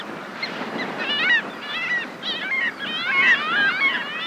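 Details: Several Arctic skuas call in flight, giving nasal, wailing calls with rising and falling slurs that overlap, with a skylark also present, over a steady wash of sea and wind.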